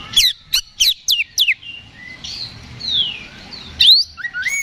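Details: Oriental magpie-robin in fighting mood, singing to draw a response: five sharp downward-sweeping notes in quick succession, then soft slurred whistles, a loud rising note and a few clear whistles.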